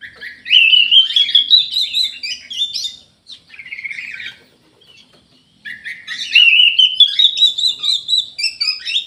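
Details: Orange-headed thrush kept in an aviary, singing vigorously: long rising runs of rich, slurred whistled notes climbing in pitch, a brief quieter phrase, then a second rising run after a pause, with no other sounds.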